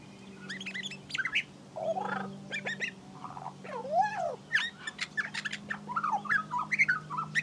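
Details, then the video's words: Female Australian magpie of the Western race in Australia mimicking other birds while harvesting grass for her nest: a varied medley of warbled, slurred and chirped notes, some rising and falling, over a steady low hum. "A Western Magpie mimics other birds while trying to harvest grass for her nest"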